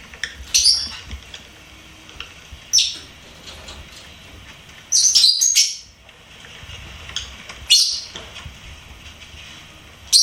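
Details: Pet lovebird chirping: short shrill high-pitched bursts spaced a couple of seconds apart, one longer twittering burst in the middle, over a quiet hissy background.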